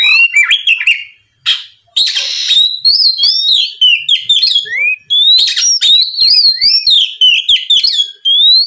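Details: Lure song of an oriental magpie-robin, ngeplong style, meant to make rival birds sing back quickly. Clear sliding whistles and wavering notes alternate with scratchy, buzzy chatter in a dense, nearly unbroken stream.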